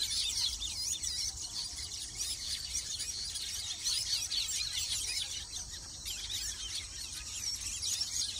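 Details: Many Baya weavers chatter together around their nests. Sharp squeaks, chirps and buzzy twitters crowd over each other in a steady stream, backed by a high shrill background hum.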